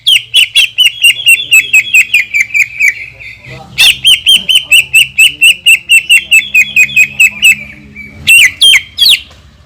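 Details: Greater green leafbird delivering long 'tembakan' shots meant to rouse other leafbirds: two extended runs of rapid, shrill, evenly paced notes, each about three seconds, then a few loud twisting whistles.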